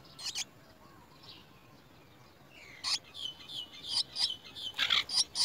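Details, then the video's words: Chestnut-tailed starling nestlings fed worms by an adult: one brief rasp, then near quiet, before a loud run of scratchy high chirps builds over the last half, growing denser. "Chestnut tailed starling bird brings baby worms to eat"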